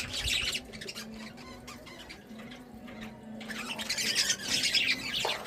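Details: Pet budgerigars chirping happily, with scratchy, high chatter in two dense bursts separated by a quieter stretch of softer squawks.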